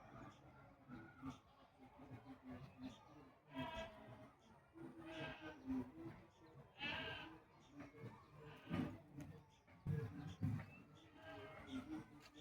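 Hadada ibis giving harsh, nasal honking calls in short bursts every couple of seconds over a steady low background hum, possibly faint music.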